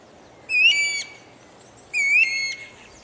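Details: Guira cuckoo giving two loud, rising, strongly harmonic notes about one and a half seconds apart. Each is a ringing whistle of roughly half a second, with a clean quiet background.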